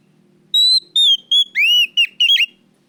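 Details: Oriental magpie-robin, loud training lure song: a sustained clear whistle followed by descending and rising slurred whistles and a few abrupt clipped notes, all in one phrase over a faint low background hum.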